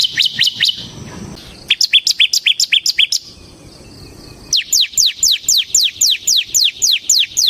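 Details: Bar-winged prinia song in the ngebren style, meant as a lure and tutor for other birds: fast series of high, descending whistled notes, about four per second, with a quiet gap midway.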